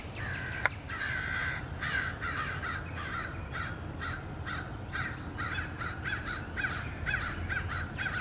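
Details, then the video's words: Crows swarming a bald eagle that returned to its nest, 30 March 2016: a sharp click, then a long run of rough caws from several birds, roughly two or three each second, over low rumbling background. "Crows attack"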